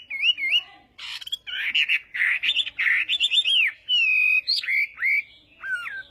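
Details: Morning song practice of a Chinese hwamei: looping whistled notes, wavering warbles and rolling phrases delivered in quick succession, with a sharp upward sweep near the end.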